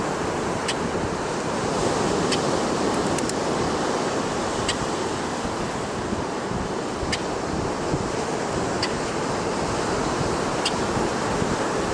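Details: Steady roar of ocean surf and wind on a California shore, with a few faint sharp clicks and no clear animal calls.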